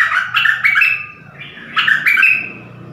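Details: Mate call of a decoy dok taeng bird in the forest, January 2021, heard as two short bursts of scratchy, chirping notes over steady low background noise.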